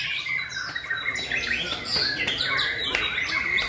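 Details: White-rumped shama in a bird singing competition, May 2020, first round. Bright whistled and warbled phrases, rising and falling, overlap from several caged competitors in a continuous busy chorus with faint crowd murmur underneath.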